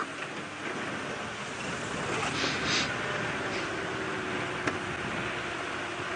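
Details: Steady hiss of wind and a moving vehicle on a morning safari drive, with one sharp click and no animal voices.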